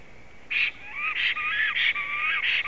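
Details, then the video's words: Male and female black storks whistling on 18 April 2016 at 19:35: short bright bursts alternate with a lower, steadier whistle line, about five loud pulses in under three seconds over a quiet background. "melnais starkis Male and Female whistles"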